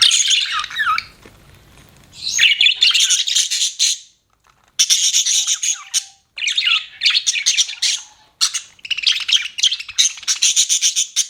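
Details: Budgerigar giving harsh, scratchy chirp bursts and squawks in phrases of one to two seconds, separated by short silences, with a faint low murmur near the start.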